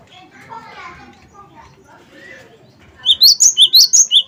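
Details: Cinereous tit, 'wingko'-style lure song meant to set other birds singing. Quiet mixed twittering opens, then in the final second a loud burst of high, sharply repeated two-note phrases.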